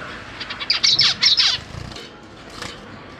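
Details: Captive zebra finches, parents feeding freshly fledged chicks alongside older juveniles, 12 September 2023; a short cluster of buzzy, high chirps lasts under a second before quieter scattered notes.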